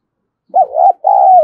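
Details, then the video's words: Spotted dove cooing to stir up other doves: a short, wavering note rising into a held coo, then a long, even, steady coo. "Chim cu gáy kích bổi"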